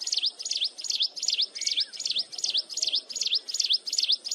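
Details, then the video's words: Shrill, nonstop mountain wren song recorded up close: sharp high notes shaped like a quick dip and rise, repeated in a regular chain about two and a half per second, with one faint lower whistle partway through. "Cận Cảnh Tiếng Hót Liên Hồi Chói Tai Của Chim Hồng Tước Núi"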